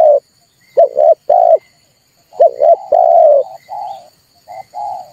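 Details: Red turtle dove coos serving as a bait call for trapping and to trigger calling: paired and drawn-out low notes, fading into softer, shorter coos at the end.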